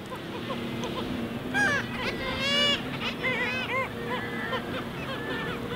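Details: Black-legged kittiwakes calling from their nesting colony on Mumbles Pier, Swansea, South Wales, UK: loud nasal, strongly harmonic cries rise and fall in overlapping bursts, several birds at once, over a steady background murmur.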